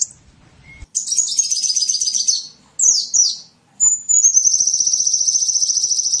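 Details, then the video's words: High small-bird lure sounds: a buzzy rapid twitter, two sharp downslurred notes, then a long thin sustained trill at very high pitch. "SUARA PIKAT BURUNG KECIL"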